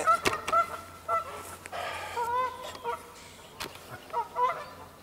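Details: Canada geese honking at an angry mute swan: loud, nasal two-part honks repeated in a rapid irregular series, several birds calling over one another, with brief clatters and splashes between calls.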